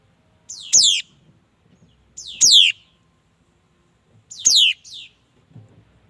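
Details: Mi dat bird: three rich, descending whistled phrases at roughly two-second intervals, each with a layered, slightly buzzy quality and a softer trailing note. Faint low noises are in the background.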